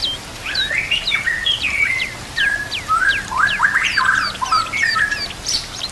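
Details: Training master recording of a white-rumped shama, set against natural sounds and running water: a dense run of varied whistles, sharp downslurred notes and twittering phrases, changing constantly over several seconds.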